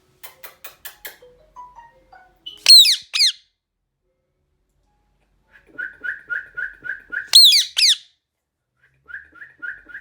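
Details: Indian ringneck parrot screaming loudly: two pairs of harsh, descending, shrill screeches about five seconds apart, between runs of short repeated whistled chirps and a few soft falling notes.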